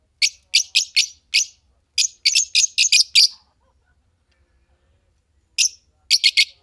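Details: Green pair of Fischer's lovebirds: rapid series of harsh, high chirps in a rhythmic run, a silent stretch, then a few more sharp shrill notes.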